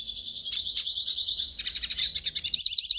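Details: A hooded siskin sings a fast, high, twittering song of buzzy trills and chirps rising into a bright warble, with no other sounds; the song is played to stimulate captive siskins to sing.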